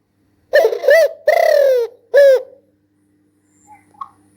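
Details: Spotted dove giving one full coo sequence of a double note, a long sliding coo and a short end note; faint chirps follow afterward.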